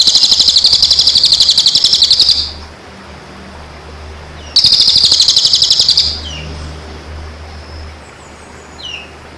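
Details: Bird singing a training song meant for birds in moult and after moult; two long bursts of rapid, high, buzzy trilled notes about four per second, each lasting over two seconds, separated by a quiet gap with faint short chirps.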